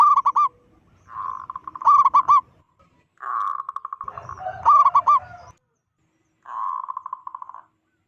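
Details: Zebra dove, a local bird with a big voice, giving a call said to make rival zebra doves panic: bright trilled coo phrases alternating with softer purring rolls, then a short pause before a final roll.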